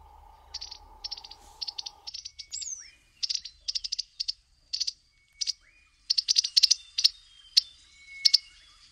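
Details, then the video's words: An African firefinch gives short, dry, high-pitched trilled notes about every half second, with a few thin rising whistles; a low steady hum fades out early. "African Firefinch"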